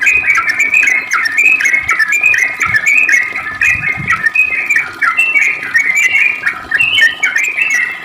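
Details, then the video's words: Lure recording of a prolific sooty-headed bulbul in long ropel song: dense, nearly continuous rush of overlapping whistled and slurred notes, very busy and loud throughout, with a low hum beneath. "Trucuk gacor ROPEL panjang buat pancingan trucuk agar bunyi JADIKAN burung trucuk gacor NYAUT"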